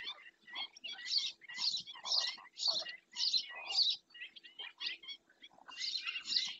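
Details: Black-winged stilt calls picked up by a webcam in Doñana National Park, Spain: bursts of harsh, yapping notes, roughly two per second, with pauses, and a faint steady low hum beneath.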